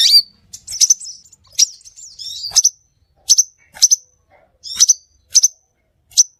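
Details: Scarlet minivet lure calls: spaced, sharp, high whistled notes with quick clicks, in pairs and singles, separated by clear silences.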